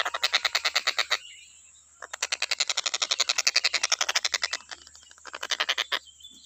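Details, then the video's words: Stork-billed kingfisher, recorded as training audio for songbirds, calls in bursts of rapid harsh notes separated by brief pauses of about a second, the rattling series speeding up in the middle burst. "TENGKEK BUTO KHUSUS BUAT MASTERAN,FULL KICAU GA ADA BERHENTI NYA"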